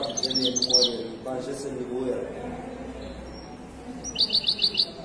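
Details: European goldfinch of the Moroccan wedani type at the Casablanca bird market Souk al-Qriaa. Quick high chirping opens and closes the recording, with a man speaking over the market din in between.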